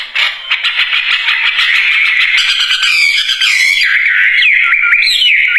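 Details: Wambie bird giving rapid, scratchy chattering song with pulsed rasping notes. It ends in a few clear whistled slides upward and downward.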